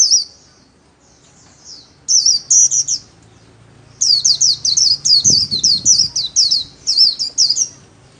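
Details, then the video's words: Kept white-eye in solo song training delivers bursts of high, fast, rippling chirps, a brief phrase then a long run of about a dozen slurred notes, with a soft knock midway. "KHUYÊN LÍU SOLO RẤT HAY - LUYỆN KHUYÊN LÍU MỖI NGÀY"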